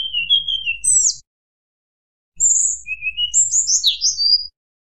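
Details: Hill blue flycatcher in fluting song aimed at rivals: slurred falling whistles and a high sweep, a pause of over a second, then a rising whistle and tumbling bright notes.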